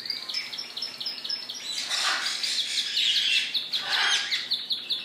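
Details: Caged male Spanish Timbrado song canaries at a bird shop on 4 January sing bright, high rolling trills of quick repeated notes that carry loudly, with louder bursts around the second and fourth seconds.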